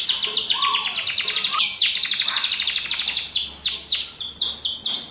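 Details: Persistent canary song for prompting birds that have stopped singing: a quick, even buzzing trill with a low whistle beneath, then slower loud downward sweeps spaced about a third of a second apart.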